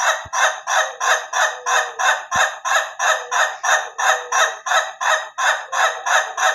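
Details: Ayam Ketawa chicken laughing crow, slow and durasi styles compared: a sustained, regular series of about twenty hoarse, pulsing ha-ha notes, close to three per second, with two brief clicks.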